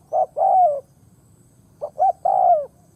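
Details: Spotted dove kept as a decoy to lure others gives two cooing phrases separated by a pause, each opening with brief notes and ending in a drawn-out coo that dips at the end.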